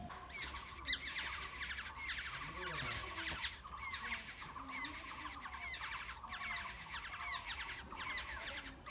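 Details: Hungry Black-hooded oriole nestlings, fed by parents in a wild nest, give continuous harsh, grating begging bursts about once per second, with a sharp click near the start and faint low murmurs beneath.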